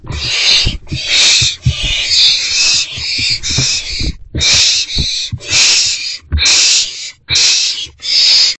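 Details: Owlets in a nest box at 11:23 pm on 26 March 2024, during a food delivery by a parent, beg with harsh, breathy hissing bursts, about one each second, over soft scuffling and thumps.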